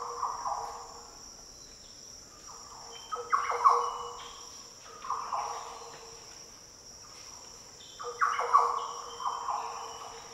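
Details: Rich, liquid song of Green orioles in the Daintree rainforest of northern Australia: two long fluty phrase groups several seconds apart, low mellow notes with slurs, insects buzzing high throughout.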